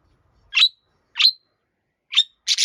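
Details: A budgerigar left alone gives sharp, high, clipped chirps, three spaced singles and then a quick doubled note, with silence between them.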